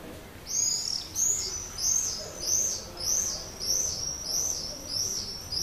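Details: Common swift attracting a mate to its terracotta nest pot under a terrace roof in Leuven, evening of 7 May 2016; regular series of short arched shrill screams, roughly one and a half per second.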